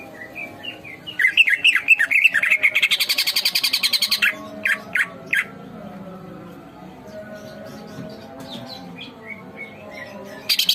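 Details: Greater green leafbird in full, energetic song for a training recording: chirpy twittering phrases, then a long rattling series of rapid notes, several loud separate whistles, a soft lull and a final harsh burst.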